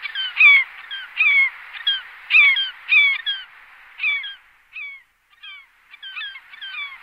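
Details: Glaucous gull: strident down-curving yelping calls in bursts, loud at first, then softer, scattered notes toward the end.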